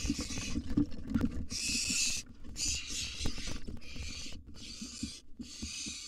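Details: Wild barn owl nestling in a monitored nest box at mealtime, fed a sizeable gerbil: long, harsh, breathy hisses lasting about a second each, broken by short gaps, with scraping, clattering and rustling in the box.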